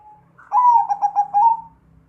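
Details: Single cooing phrase from a zebra dove, known locally as perkutut: a brief lead-in note, then a rolling, stuttering string of five mellow coos ending on a longer drawn-out note, with faint low hum behind.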